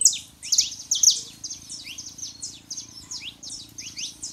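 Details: Male and female Saffron finches singing, played to warm up a quiet canary: rapid high chips and short downslurred notes tumbling together, loud at first, then a steadier run of paired sharp notes over a low background hum.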